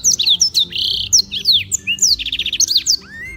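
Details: Bright, rapid song of a black-throated canary recorded at Beng, Gianyar, Bali, for training other birds: high descending whistles, a buzzy rattling note and a fast run of repeated chips near the end.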